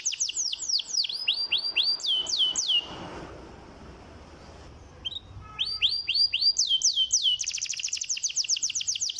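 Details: Canary song used to stimulate lazy canaries to sing: rapid descending whistled sweeps and trills, pausing midway for a quiet gap before fast high rolling phrases resume.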